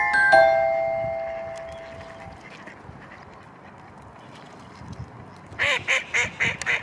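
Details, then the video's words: Black-headed gulls in a town give about five harsh, rasping calls in quick succession near the end, after an opening ringing musical chime and a quiet stretch. "Mouettes rieuses en ville"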